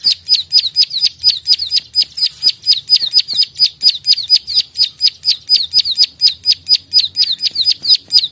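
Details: Plain prinia (prenjak sawah) in a combative, talkative state, producing a long steady series of klik-klik notes: crisp, high, downward-flicking clicks, about twenty-eight over eight seconds, evenly spaced near two per second.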